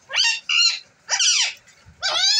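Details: A talking pet green parrot gives four harsh, raspy, voice-like utterances over two and a half seconds, each with bending, speech-like tones and short pauses between them.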